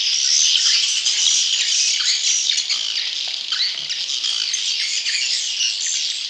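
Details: Swiftlet chick calls meant to draw in wild swiftlets: rapid, crowded high squeaks and buzzy chirps, about four per second, fading slightly over the clip.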